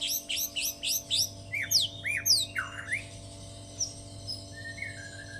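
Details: White-rumped shama singing a lovebird-like medley: quick series of sharp descending high chirps, then sweeping downslurred whistles, fading into softer scattered notes, with a constant background hum.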